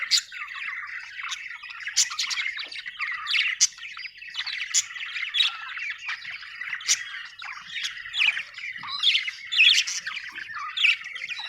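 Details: Happy budgie chirping, an Australian bird, in a lively running chatter of short squawks, clicks and high chirps, repeated in uneven bursts across the whole stretch.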